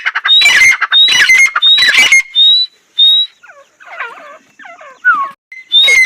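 A female painted francolin gives loud, harsh, rasping call phrases about once a second with clear whistled notes, followed by softer chattering notes.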